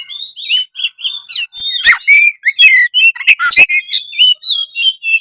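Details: Gacor singing by an oriental magpie-robin (kacer), played to make quiet birds start singing: dense, fast stream of high whistled notes mixed with scratchy chips and buzzy accents, barely pausing.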